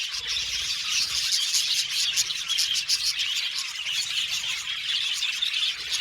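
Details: Budgerigars in an aviary colony chirp together in a dense, continuous chatter of high twittering notes and short squeaky warbles, with no pause throughout.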